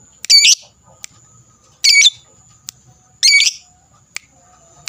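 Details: Fighter lovebird ngekek, a long trill used to stir up rival birds; three loud harsh chattering bursts roughly every one and a half seconds, separated by short sharp clicks and a faint steady high tone.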